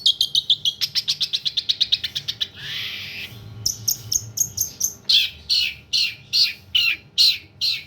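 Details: Long-tailed shrike song for tutoring other birds: a fast rattle of evenly spaced clicks, a harsh hissing burst, then a mix of high thin notes and loud scratchy chirps repeated about twice a second.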